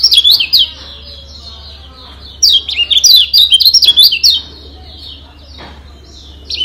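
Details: Kecial kuning, the yellow white-eye of Lombok, in a training song meant to make other birds agitated and sing harder: two quick chattering bursts of high, sliding, warbled notes, then near silence with a steady low hum.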